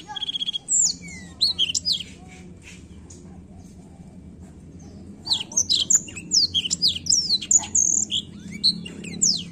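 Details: Black-throat song: a brief burst of quick, high twittering notes, then about three seconds of near silence, then a long lively run of sweeping whistles, chips and buzzy trills; low background hum throughout.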